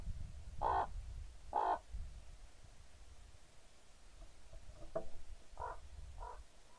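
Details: Common raven from a pair, recorded 28 October 2016: two loud throaty croaks close together, followed by fainter, softer croaks and clicks against a low background rumble.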